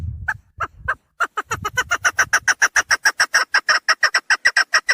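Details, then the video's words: Female chukar partridge call used as a hunting lure: a few spaced clucks, then a fast, steady run of sharp, repeated chuk notes, about three per second, with low rumbling noise at the start. "Овози модкабки шикори барои шикор, Dişi keklik sesi, صدای کبک ماده برای شکار، صوت الحجل الانثی طویل"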